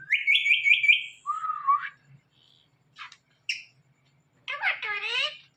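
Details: Indian ringneck parakeet recorded at night: a quick run of buzzy chirps near 2–3k repeated about three times a second, then a falling note, brief clicks, and a harsh, harmonic-rich squawking burst at the end.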